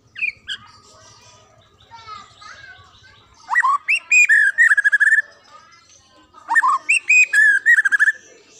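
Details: White-rumped shama from the wild pouring out song: scattered soft notes, then a sharp upswept whistle followed by rapid, evenly spaced bright chirps, repeated twice in about five seconds; low rumble at the start.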